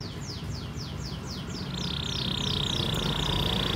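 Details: Canary lure song for young canaries and birds that stopped singing: a series of descending whistled slurs leading into a long, steady buzzing trill, heard fairly softly over low rumbling background noise.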